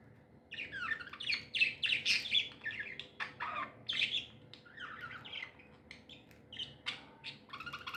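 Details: Happy pet budgies chirping in short bursts of buzzy warbled notes and squawks, some rising and falling, with gaps between phrases.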